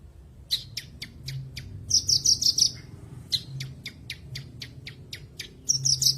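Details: Bush lark training song, used as therapy and a lure for untrained birds: a string of sharp, evenly spaced high clicks broken by short, rapid buzzy trills, over a faint low hum.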